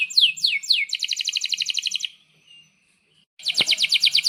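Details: Domestic canary in breeding excitement, singing energetically with cuit-cuit chirps and long rolls, used to tutor young canaries: three quick descending sweeps, then a fast buzzy trill, a pause, and another rapid rolling trill.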